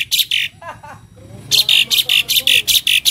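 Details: Asian pied starling, a tame bird, in full 'isian' song: two rasping bursts, a pause with faint softer notes, then a rapid, steady run of about ten harsh, buzzy strokes.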